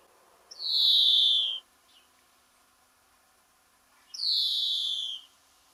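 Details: European greenfinch singing from the top of a rowan tree at the end of a garden; two long drawn-out wheezing notes, each about a second, slightly falling, separated by a three-second pause.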